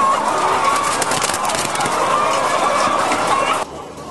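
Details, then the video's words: Laying hens kept in cages on a farm in France, February 2012: a continuous crowded din of clucking and cackling over steady barn noise, cutting off abruptly near the end. "Elevages de poules en cage"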